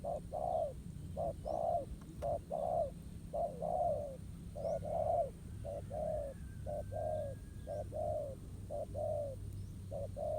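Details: Wild spotted dove responding to a ground-trap decoy in countryside, cooing steadily: paired short and drawn-out coos near one per second, over a low hum, with a thin whistle passing faintly in the background.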